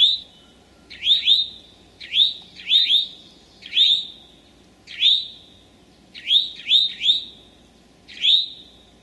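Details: Eastern towhee in Sudbury's Memorial Forest or Marlborough's Desert Natural Area, Massachusetts, late morning, May 25, 2011. Bright, clear notes with a short swoop up and down, given singly or in quick pairs and triplets, over faint background hiss.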